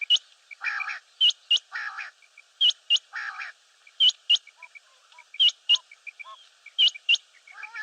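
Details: Batair, the common quail, calls steadily. Crisp, high, whip-like notes come in pairs and threes, alternating with low, buzzy, nasal growls, in a regular rhythm roughly every one and a half seconds. Faint soft notes sit between them.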